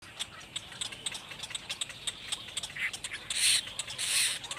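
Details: Black birds with their babies in a nest; high, hissy bursts from the nestlings grow louder and longer near the end, over a steady run of sharp ticking clicks.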